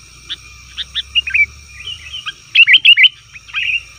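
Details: Agitated 'ribut' calling of a sooty-headed bulbul, played to attract wild bulbuls: scattered short chirps at first, then a loud cluster of four rising whistled notes and a final slurred phrase.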